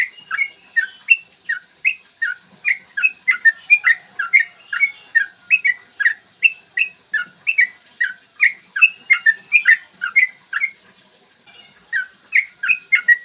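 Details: Long, clear morning song of a yellow-vented bulbul, played to provoke bulbuls into singing and fighting. Rapid chain of rich, warbling whistled notes, about two per second, continuing without break for most of the stretch, then briefly pausing, over a faint steady hum.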